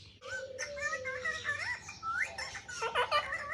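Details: Pet parrot talking while playing with a mobile phone indoors: a run of speech-like warbled syllables with sliding, whistly tones, rising and falling in quick succession, ending in busier chattering notes.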